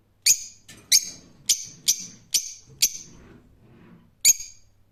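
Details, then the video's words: Loud, piercing single screeches from a rose-ringed parakeet, spaced roughly half a second apart in a short burst, with a longer gap before a final harsh note; quiet low rumble behind. "Cennet Papağanı Sesi"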